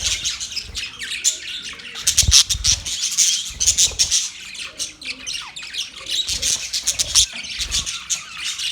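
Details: Budgies keep up a dense, buzzy, high warbling chirp with sharp clicks, and some low knocks are heard now and then.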